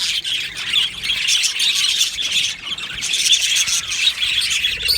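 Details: Australian budgies chirping together in an aviary colony; busy overlapping high chatter and squeaky warbling with a few brief squawks, swelling and dipping slightly in intensity.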